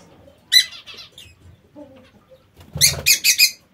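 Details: Caged lovebirds in an aviary: one sharp shrill squeak, then a quick series of four piercing chirps, with a brief low thump among the calls.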